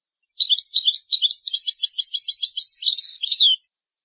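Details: European goldfinch in sustained song, recorded to teach goldfinch and hybrid chicks: a long, fast stream of tinkling twitters, about three seconds, with a brief buzzy trill near the end.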